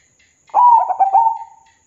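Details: Vigorously singing local zebra dove, a lure for birds slow to sing, gives one soft cooing phrase of several quick clipped notes ending in a drawn-out steady trill, about one second long.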